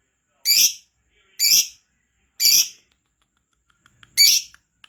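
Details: Lovebird, kept to sing keenly, giving four loud rasping high squawks roughly one second apart, with faint ticks and a low hum before the last.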